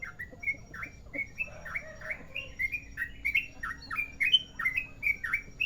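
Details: Sooty-headed bulbul, merapi type, delivering long rolling song phrases: liquid whistled notes that slur up and down, tumbling in a lively, uneven sequence.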